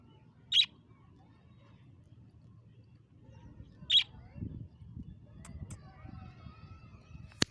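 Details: A free-flying budgerigar in a village in Lahore gives two short, sharp chirps several seconds apart over a low background rumble.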